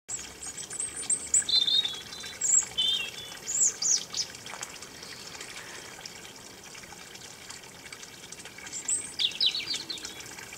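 A robin gives high, thin, twittering phrases in short scattered bursts, some sliding and warbled, over a steady rushing sound like running water.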